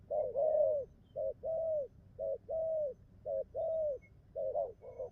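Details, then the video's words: Spotted dove delivering bai ngoai cooing: short double-pulsed coos each answered by a longer, smooth, slightly falling coo, in paired phrases roughly a second apart against a quiet background. "bài ngoài như máy,nước gù tốt"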